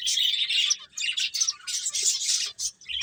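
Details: Several finches at play produce a near-continuous stream of bright, high twittering chirps, clustered into bursts of about half a second separated by short pauses.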